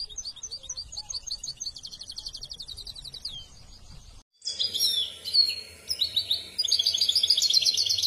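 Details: Misto hybrid canary singing on a training recording for young birds: rapid high rolling trills, a short silent break, then louder varied whistles and buzzy repeated-note rolls.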